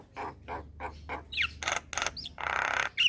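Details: Javan myna (jalak kebo) singing gacor: a series of harsh, nasal chuck notes, then loud rasping bursts mixed with short squeaky whistled slurs, uneven in rhythm.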